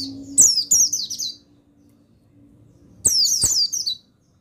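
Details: Buxtoni mountain white-eye male singing for a recording meant to stimulate lazy birds into singing: two quick bursts of thin, high, descending twitters about three seconds apart, with soft clicks and a steady low hum.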